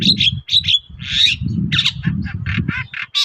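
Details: Long-tailed shrike in full song, used as a lure to make other shrikes answer: harsh, squawking high notes in quick bursts, some with brief whistled tones, over a steady low rumbling background noise.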